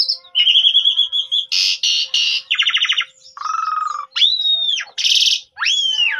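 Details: Javan pied starling song used as a lure to prompt other starlings to sing: clear sliding whistles mixed with harsh raspy bursts, a quick rattling trill and a lower buzzy note, all in rapid succession.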